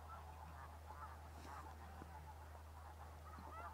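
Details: Migrating sandhill cranes at Bosque del Apache Wildlife Refuge, New Mexico, in December: a dense flock chorus of overlapping honking, rolling calls blending into a continuous murmur, over a steady low hum.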